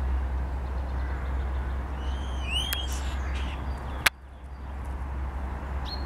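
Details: Common starling mimicking a grey partridge on 10 April 2021. A clear, rising, harmonic whistle is followed by rasping bursts and one loud click, all against a constant low background hum.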